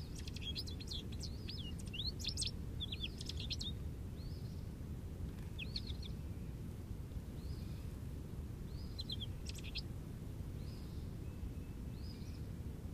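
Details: Jubilant American goldfinch perched in an Eastern Red Cedar, opening with a dense run of high chattering and twittering notes, then spaced single sweet slurred calls and short twitters every second or two, with steady low rumble beneath.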